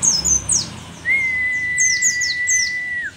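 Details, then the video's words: Mountain white-eye from Merapi, old and still singing eagerly; a few rapid high chirps slide downward, then a sustained steady whistled tone runs under further quick descending notes. "pleci merapi tak kan pernah ingkar janji, tua tua gacor"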